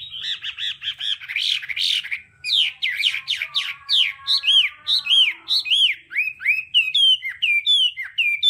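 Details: A Hwamei in varied 'đảo âm' song for voice practice. Quick repeated whistles give way to a long descending warbled slur, then a chain of arched, ringing whistled notes sung at a lively pace.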